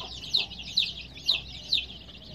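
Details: A baby chick gives four loud, high, sharply falling peeps, evenly spaced about every half second, over softer chirping from other colored chicks and a faint low hum.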